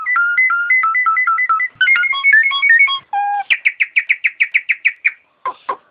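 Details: Masteran of a Nias hill myna: alternating two-pitch whistled notes in a fast run, bright chips, a held nasal note, then about a dozen loud clipped whistles in even rhythm and two sharp calls.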